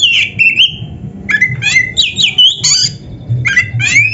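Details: Caged white-rumped shama giving a rich training song of loud whistled phrases, sharp squawky notes and quick upswept slurs in short bursts separated by brief pauses, over low background rumble.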